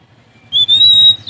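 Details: Sumatran Oriental magpie-robin, singing to find an opponent, gives one long pure whistled note that rises slightly and holds steady, then a brief higher note begins. A low hum sits underneath.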